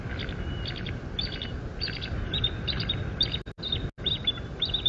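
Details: Bald eagle at a nest 57 feet off the ground at Fort St. Vrain, recorded 05.03.2024 on a nest camera: repeated high, thin chittering notes in quick bursts, with steady background hum throughout.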